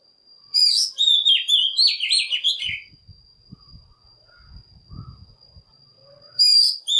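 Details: Oriental magpie-robin decoy song, used to lure wild birds and stir others to sing in the morning: a rich burst of varied whistled and warbled notes for about two seconds, a quiet pause with faint low thumps, then another phrase, over a steady high whine.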